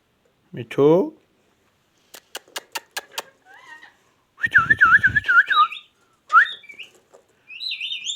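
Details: Talking ringneck parrot makes a brief rough voice-like sound, then a run of dry clicks, followed by rapidly wavering warbled whistles and a few higher trilled notes near the end.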